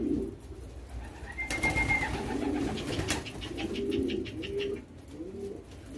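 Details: Low, murmuring calls from young homing pigeons during hand-feeding, while their keeper trains them to a whistle. A brief flat human whistle, sharp knocks and quick pecking clicks are also heard.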